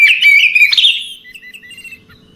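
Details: Night song of an Oriental magpie-robin: a loud, dense rush of sweet whistles and twittering slurs, trailing off into a few softer, spaced whistled notes.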